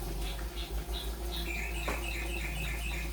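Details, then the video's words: Yellow-vented bulbul learning the rolpen song style: short, bright notes repeated quickly in a rolling sequence over a constant low electrical hum. "burung trucukan belajar rolpen"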